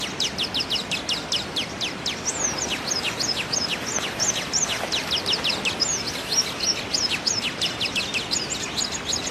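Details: Hummingbird singing: a fast run of thin, high, downward-sweeping squeaky notes, several per second, with some sharper clicks and chips mixed in over a steady hiss of background noise.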